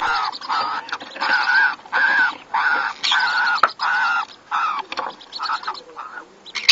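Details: Caged pineapple conure parrots during mating give harsh, buzzy, nasal squawks in a steady rhythm of about two per second, each a rough band of noise, with a brief click near the end.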